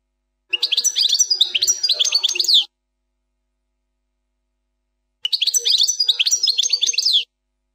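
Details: Goldfinch in 'plak mine' song style, error-free: two sparkling phrases of fast twittering and trills, each about two seconds long, separated by clean silence of around two and a half seconds.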